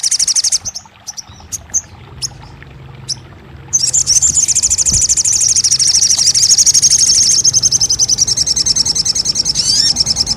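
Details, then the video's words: Sogon, the crested jay, heard in a recording meant to get a silent bird calling back: scattered high chips first, then a sustained, very rapid high rattling trill that runs on to the end, with low background rumble. "TERAPI RAJANYA SOGON MACET BUNYI | 1 Jam Langsung Buka Patuk & Nyahut!"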